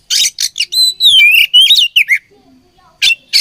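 An Oriental magpie-robin gives rich, varied whistled phrases of high, sliding notes mixed with harsh scratchy bursts. The song comes in quick, uneven runs with brief pauses.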